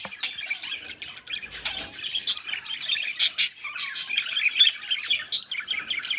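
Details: Budgerigars copulating, with a rapid warbling twitter full of short chirps and harsh clicks, a few brighter squawks standing out over the constant chatter.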